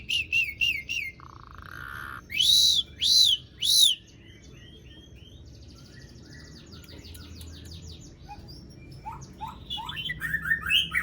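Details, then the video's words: Asian pied starling in long rolling song used as a lure for silent starlings; fast high notes, a flat whistle, three loud arched calls, then rapid chattering and buzzy phrases. "Jalak Suren Gacor Dor Ngerol Panjang Ampuh Buat Pancingan Jalak Macet Agar Bunyi"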